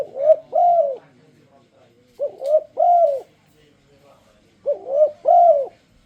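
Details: Luring coo of a spotted dove intended to get other doves singing: three repeated phrases of a quick upslurred note, a wavering coo and a longer soft falling coo, about every two and a half seconds.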